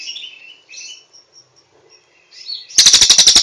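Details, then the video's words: Cililin master song for training kept songbirds: thin whistled and slurred notes with brief pauses, then an abrupt loud, rapid, harsh trill at the end. "SUARA BURUNG - Masteran Terbaik Cililin"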